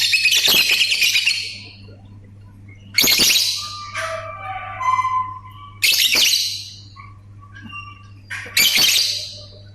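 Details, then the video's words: Ngetik and ngekek chatter from a lovebird: loud rasping, clicking bursts about every three seconds, with softer whistled tones between them and a constant low hum. "BURUNG 🐦LOVBIRD SUARA NGETIK TAMBAH NGEKEK"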